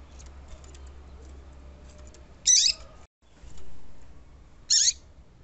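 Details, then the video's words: Papa-capim female call meant to set a male singing, with two brief, sharp, buzzy high notes spaced a little over two seconds apart, separated by near silence. "Piado de Fêmea de Papa capim Chamando"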